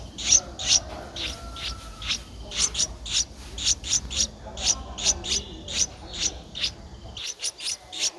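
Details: In Ubon Ratchathani, Thailand, on 13 April 2023, an 11-day-old Streak-eared bulbul nestling begs with a steady stream of scratchy, piercing chirps, some paired, around two per second, over quiet background hiss.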